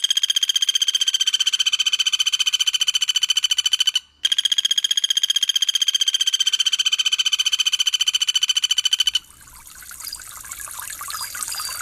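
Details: Pelatuk Bawang or Cililin in a songbird training recording: a long, fast, buzzy pulsed trill on one steady mid-high pitch, briefly broken once, giving way to soft trickling water.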